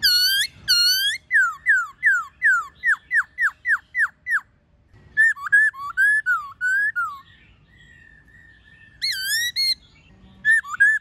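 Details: White-cheeked laughingthrush wild song with many voices and female calls, played to train captive birds: a long rapid series of about a dozen falling whistles, then wavy slurred phrases, a steady flat tone, and renewed bright whistled bursts.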